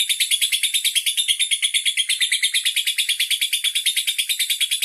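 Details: Lovebird from Bandar Lampung singing a long continuous run to show off its duration; shrill, tightly repeated chirping notes, roughly three per second, steady and unbroken throughout.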